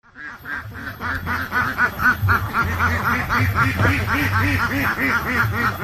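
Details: Ducks on a park lake quacking steadily. Nasal, honking quacks repeat about four times a second in an unbroken chorus over a low background hum.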